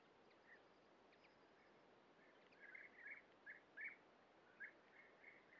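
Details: European bee-eaters at a breeding colony while young are fed at the nest burrows, recorded on a Sony PXW-FS5 camera; quiet at first, then short rolling calls around mid-pitch come in bursts over steady background hiss.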